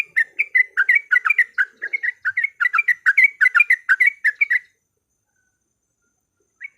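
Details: Lure recording of a yellow-vented bulbul, meant to provoke fighting song: rapid series of lively, slurred chirps, roughly three per second, for about four and a half seconds, then silence and one brief final note.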